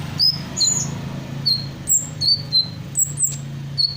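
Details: Hummingbird mimicking other birds while singing: thin, high, clear whistles, each short and slightly falling, spaced irregularly about two or three per second, with a low droning hum in the background.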